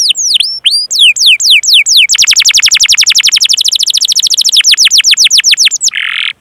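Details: Canary singing as a tutor recording for other canaries: curved falling whistles, then a long fast trill of repeated notes, more sweeps, and a short buzzy ending.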